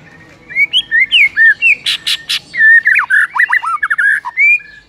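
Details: White-rumped shama recorded in the morning for masteran, pouring out rapid looping whistles and twisting slurred notes. Two harsh noisy bursts interrupt the song midway.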